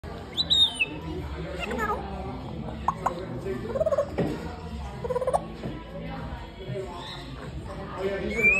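An African grey parrot chatters in speech-like bursts mixed with sharp high whistles and clicks, over a steady low background hum.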